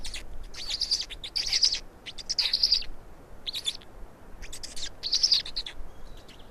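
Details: Black stork chicks in Estonia begging as two are fed, 16 May 2019: bursts of high, hissing, squeaky chatter every second or so, separated by short quiet gaps.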